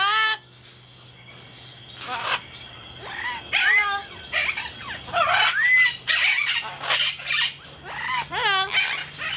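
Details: Parrot kept at Jungle Island in Miami, Florida, USA, on 24 November 2010, producing talking phrases such as "Hello" and "Mama", with rising and falling harmonic squawks, bursts of harsh calls and a constant low hum behind.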